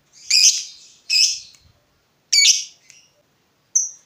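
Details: Agitated fighter lovebird reacting to a rival, giving harsh broad screeching notes, three loud ones spaced about a second apart, followed by a short thin high note.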